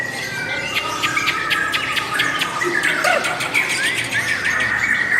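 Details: Lovebirds with a sound praised as beautiful and long: dense, fast high chirps and short twittering notes pour out continuously, with thin whistled strokes layered over a steady chorus of several birds.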